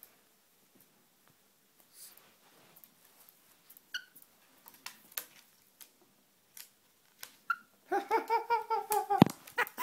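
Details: Black-headed caique laughing indoors. Quiet clicks and a few short squeaks come first, then a loud burst of rapid, pulsing, nasal laugh-like notes fills the last two seconds.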